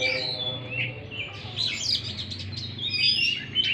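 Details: Brief Oriental magpie-robin song serving as a lure for a stressed, silent bird; thin slurred whistles and chattering notes over a noticeable low droning hum.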